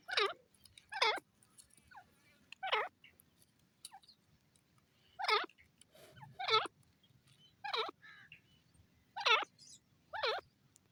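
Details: Grey francolin, called dasi teetar, giving a steady series of about ten wavering, sliding, squeaky notes, some in pairs, over a faint low background hum.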